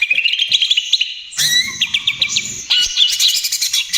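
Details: Energetic 'trotol gacor' singing of a greater green leafbird, meant as a lure and therapy for other birds. Quick twittering notes run into rich warbling with sharp rising whistles and rattling trills, and a faint low hum underneath.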